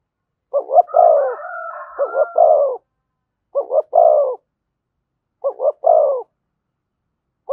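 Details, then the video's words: Spotted dove, "giọng thổ" cooing style with "thúc" and "kèm". Deep two-note-plus-coo phrases come roughly every two seconds with long silences between. A higher wavering tone overlaps the first phrase. "tiếng cu gáy giọng thổ thúc và kèm hay nhất"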